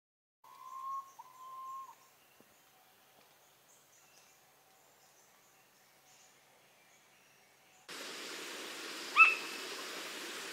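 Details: A Philippine pitta with a newly fledged chick in Montalban, Rizal, Philippines, July 2021, gives two drawn-out, mournful whistles near one pitch, then quiet; a hissing background and a single sharp chirp follow.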